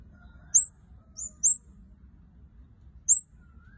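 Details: Red-headed parrotfinch in full active song giving very high, thin, sharp notes singly or in quick pairs, a few seconds apart, over a quiet low hum.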